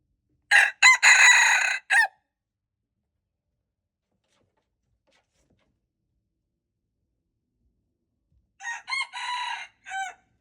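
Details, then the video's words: Red junglefowl, recorded February 26, 2025, gives two crows about seven seconds apart, each a harsh segmented call of four or five loud bursts, the second crow sounding more distant and thinner, with silence between. "red jungle fowl, txiv lau qaib qus"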